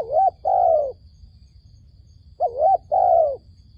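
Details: Dove coos used to draw doves into a trap: two matching phrases about two seconds apart, each a bouncing short note and then a sustained mellow coo falling away at the close.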